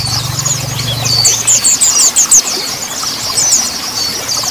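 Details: Mountain white-eye singing a quick run of about seven high, thin upslurred chirps, then scattered twitters; a low hum at the start fades out.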